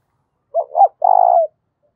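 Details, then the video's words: Challenge or fighting coo of a spotted dove, loud and resonant: two quick rising hooked notes followed by one long, rough, vibrating coo lasting about half a second. "Tiếng chim cu gáy thúc bổi rất to và vang/ cu gáy thúc đấu"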